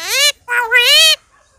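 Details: Talking common myna imitating human speech: a brief loud voiced syllable, a short pause, then a longer rising-and-falling word-like utterance with bright, strong harmonics, followed by silence.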